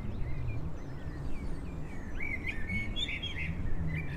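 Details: Eurasian jackdaws collecting horse hair as nesting material in Heemskerk, the Netherlands, give short, squeaky calls against strong, rumbling wind noise.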